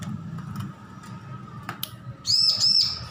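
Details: Young bar-winged prinia learning to sing: after soft clicks and quiet background hum, three bright, arched high whistles follow one another closely at the end.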